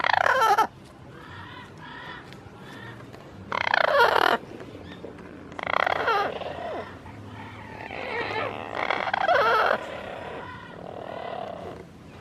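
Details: Amazon parrot named Freedom makes soft, wavering cooing sounds in short clusters toward yellow-fronted, yellow-naped and double yellow-headed Amazons, broken by a few loud, harsh squawking bursts every few seconds.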